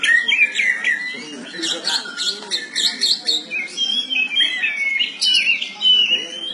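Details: Morning song of a caged oriental magpie-robin: varied whistled phrases and rising, falling slurs mixed with chattering notes, with a low background murmur.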